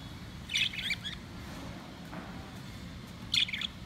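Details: Four pet lovebirds playing, eating and fighting: two brief clusters of sharp high chirps about three seconds apart, over a low rumbling room noise.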